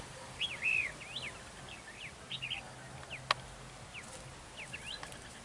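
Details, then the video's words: Red-whiskered bulbul acting as a decoy at a trap during a territorial fight. A loud, rich whistled phrase opens, followed by softer scattered chirps, one sharp click, and faint background noise. "Bẫy đấu chào mào HỌNG DỊ"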